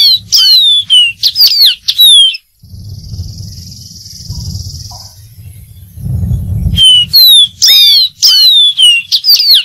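Dark-throated Seedeater singing bright, high, rapid slurred whistles and chips in quick bursts, pausing for a few seconds of low rumbling background noise.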